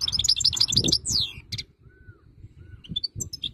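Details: European goldfinch of the wild type singing a burst of rapid, high twittering trills that ends in a downward-sliding note. Sparse chirps follow, with a faint soft whistle and low background rumble.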